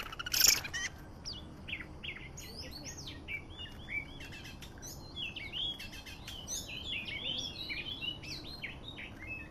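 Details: Oriental magpie-robin, Medan type, singing as a lure for trapping: after a brief sharp burst at the start, a run of varied whistled and chattering phrases with quick slurs, moderately loud against a faint background hiss.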